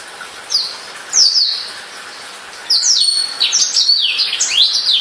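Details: A few separate high swooping whistles from a newly bought caged black-throated canary, followed by a denser burst of rapid descending and rising notes.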